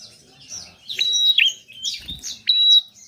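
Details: Energetic gacor song of a prinia (prenjak), for rousing reluctant birds to sing: high squeaky chirps, a sustained thin whistle sliding into a twisting downward note, and another long level whistle near the end.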